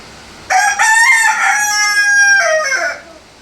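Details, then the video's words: Big country rooster crowing indoors on a rainy day: one loud, harmonic-rich crow of about two and a half seconds, a rising first part, a long steady middle and a falling ending. "Authentic big size country chicken crowing indoors on a rainy day"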